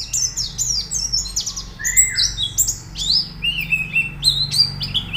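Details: Pleci (white-eye) song aimed at making birds sing actively; quick, high trills and chirps, with a steady lower whistled note near the second second and a faint low hum underneath.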